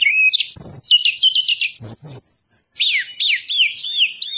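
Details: Striated prinia song used as a lure to make other birds sing: high thin whistles, quick stuttering trills and repeated downward-swept notes, loud and close, with a few soft clicks.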